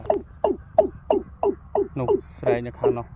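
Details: A wild quail in green countryside rice fields under a dark, drizzly sky gives a fast series of short, hollow, downward-sliding notes, about three per second, with a human voice briefly overlapping near the end.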